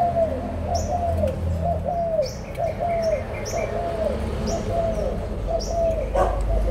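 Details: Adult Spotted Doves from Malaysia and Thailand, recorded 16 March 2022: a steady series of soft, arched coo notes, each rising then falling, repeated about every half second, with faint high chirps from small birds above.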